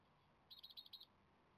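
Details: Japanese tit (Parus minor) nestlings on day 17 of rearing, begging for food before fledging, on a day of worsening weather, give a half-second burst of about seven rapid, high, thin chirps over a soft background hiss.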